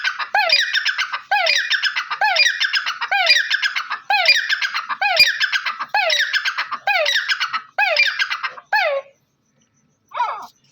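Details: Black francolin, called Dakhni or Bholla teetar locally, delivering a long series of harsh, rasping call bursts with sharp upward strokes, about one per second for nine seconds, then a short pause and a final faint note.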